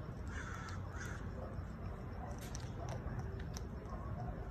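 Parrots give short, harsh, crow-like squawks at irregular intervals over a steady low rumble of background noise.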